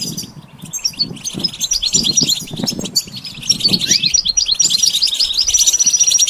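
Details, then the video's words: Goldfinch song for training beginners: busy high twittering and chips run throughout, joined by a long thin whistled note late on, over low thumping background noises. "The basics of training the goldfinch to sing"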